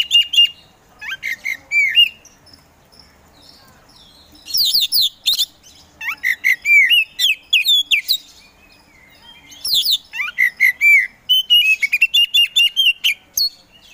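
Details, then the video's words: Kacer poci Oriental magpie-robin, a hobbyist's songbird, singing long, rich phrases of fast varied whistles, trills and slurred notes in several bursts, with short silent pauses between them. "KACER POCI GACOR SANG PROVOKATOR"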